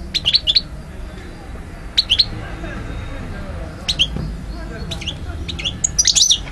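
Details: European goldfinch recorded in Algiers, Algeria, in 2012, uttering short clusters of high tinkling chirps spaced about two seconds apart, ending in a denser twittering burst, with low background rumble.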